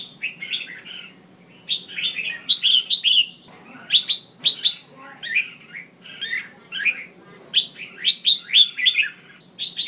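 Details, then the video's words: Red-whiskered bulbul, a female, giving calls meant to trigger males to sing; quick chattering warbled notes in repeated groups of three or four, with sharp ticks and steady low background hum. "Tiếng chào mào mái mới nhất kích trống cực nhạy/kích bổi căng lửa hót sung/kích là hót ngay"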